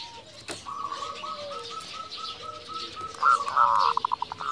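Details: Local zebra dove in full song: an even string of short, clipped coos at roughly three per second, ending in a loud rush of fast staccato pulses, with soft background hiss.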